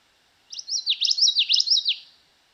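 A Common Yellowthroat sings a quick run of bright, three-note phrases, wichita-wichita-wichita, repeated about four times in under two seconds, with nothing else heard.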